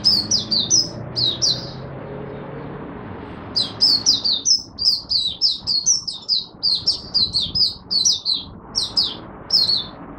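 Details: Buka sing (opening song) of an Oriental white-eye, Singapore, humid warm rainy overcast weather, 23 March 2023: short bursts of high squeaky twitters, a pause, then a long run of quickly repeated bright chirping notes.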